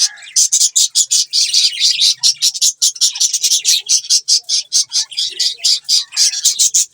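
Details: Continuous loud budgie chatter, fast and scratchy, with short high chirps packed several to the second throughout.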